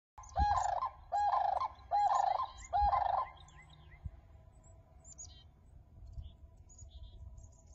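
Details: A crane on Rice Lake in Whitewater, Wisconsin, gives four loud, rolling, trumpeting calls in quick succession, then falls silent while faint high chirps of small birds and a low background rumble continue.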